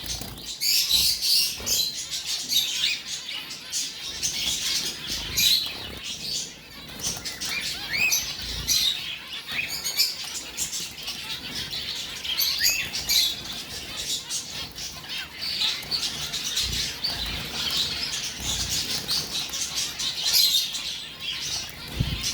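Zebra finches chatter with a steady stream of short, high, nasal beeping calls from several birds.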